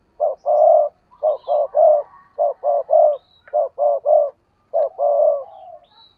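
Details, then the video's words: Decoy spotted dove cooing intensely: deep, mellow coo notes in tight groups of two or three, some longer drawn-out final coos, repeated with short pauses over a quiet background. "tiếng cu gáy/ chim cu gáy mồi cây thúc gù căng lửa"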